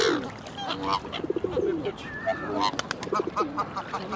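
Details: Black swan on the Round Pond giving low, tuba-like honks of defiance at birds in its way: short harmonic honking notes in quick uneven bursts, with other waterbirds calling nearby.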